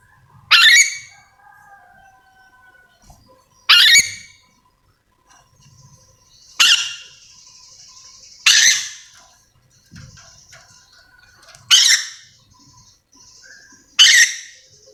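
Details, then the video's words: Yellow-and-green lorikeet, a parrot endemic to Sulawesi, calling: loud, harsh, broadband screeches given singly at irregular intervals of two to three seconds, six in all, with faint thin whistles between. "Suara asli nuri dora memanggil"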